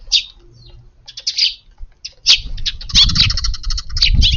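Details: Eurasian tree sparrows feeding in a garden on an windy April 22 evening, occasionally stretching necks on alert; bursts of sharp high chirps, quickening into a dense run of overlapping cheeps with low rumbling wind.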